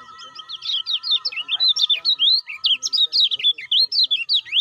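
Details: Unbroken, excited stream of thin, high, slurred chirps from a lemon-bellied white-eye used to provoke caged birds into ciak ciak calling, notes tumbling up and down in quick succession over a soft constant tone.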